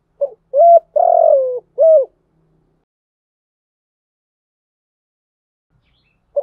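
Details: Spotted dove (cu gáy) song used as a lure to draw wild doves, with calling, urging and cooing styles: a quick run of four low coos, the third long and buzzy, then silence until a fresh coo starts at the end.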